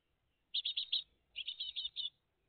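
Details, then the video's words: Great tit family at the nest on a June 2023 morning: two clean bursts of four to five high, raspy chirps each, separated by a short silence. "GREAT TIT FAMILY LIVE"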